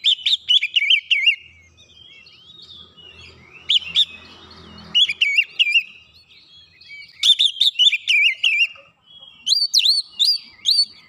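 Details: Oriental magpie-robin lure song meant to provoke a reply: clusters of sharp, high whistled and warbled notes in short bursts separated by pauses, growing busier toward the end with quick repeated rising whistles.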